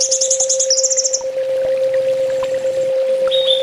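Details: Sunbird known as kolibri ninja, full tembak master song: one long, very high, rapid tinkling trill that drops slightly near its end, then quiet with a faint thin whistle, over a constant hum.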